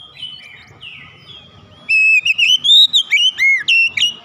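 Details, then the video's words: Kacer (Oriental magpie-robin) singing hard with its beak wide open: soft twitters, then a loud phrase of about eight ringing whistled notes rising and falling over two seconds. "Kacer langsung gacor ngeplong buka paruh dengan lebar"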